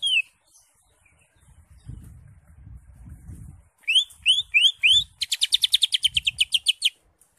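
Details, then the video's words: Greater green leafbird singing with its crest raised and a full varied repertoire: a high slur, low rustling, four rising whistled slurs, then a fast even trill of about fifteen high notes. "CUCAK HIJAU (ijo) NGENTROK JAMBUL GACOR FULL ISIAN"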